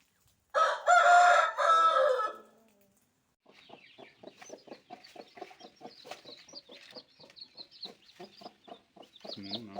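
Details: Newborn chicks peeping in rapid, uneven series of short high chirps after a loud, harmonic burst of another sound at the start.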